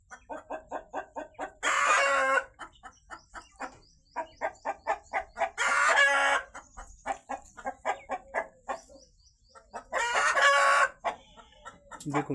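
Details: Chicken egg cackle on a farm after a hen has laid, apparently two eggs: rapid, steady clucks, about four a second, broken every four seconds by a loud, harsh squawk lasting under a second, while a person speaks nearby.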